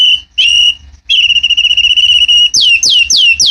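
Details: White-rumped shama at a bird farm giving long, pure steady whistles, then a quick series of four sharp downslurred whistled notes, loud and close with little background.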